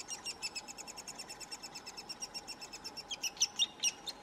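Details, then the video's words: Three-toed woodpecker at a nest in Oslo in June 2018 gives a fast, steady run of high, thin chirps, about eight each second, some louder near the end, over a constant low background hum. "Three toed Woodpecker nest"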